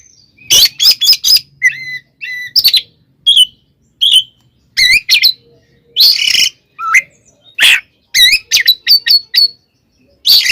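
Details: Oriental magpie-robin fighting song for provoking rivals: long energetic sequence of repeated whistled notes, rapid trills and rasping bursts, dense and varied, with brief pauses.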